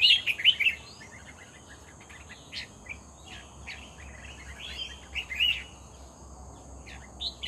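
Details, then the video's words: Red-whiskered bulbul in full song at a decoy trapping site: a loud burst of rapid, tumbling whistles opens, followed by softer scattered chirps and one clear slurred note, with a steady insect whine throughout. "MERBAH JAMBUL GACOR"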